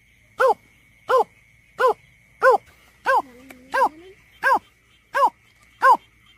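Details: Lure recording of a greater painted-snipe for bird surveys: nine short arched hoots, regular at roughly 0.7-second intervals, with a quiet drawn-out lower note partway through.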